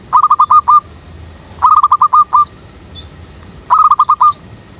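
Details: Local zebra dove used as a trapping lure in a jackfruit tree behind a house, giving three quick bursts of five or six clipped, rolling coo notes about two seconds apart, with faint high chirps from other birds between them.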